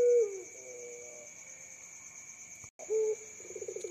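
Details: Young puter pelung dove raised as a future contest champion, a bird said to call by day and night. Low coos open and close the clip, followed by a rolling, pulsed coo, over two steady high electronic-sounding tones.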